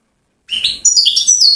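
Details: European goldfinch from Settat, Morocco, giving a brief burst of high tinkling twitters lasting about one second after silence.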